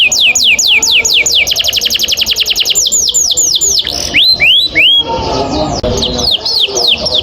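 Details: Canary long roll song for training caged birds: fast repeated downslurred notes accelerating into a tight trill, then slower sweeping notes and a harsh burst, followed by more rapid descending notes.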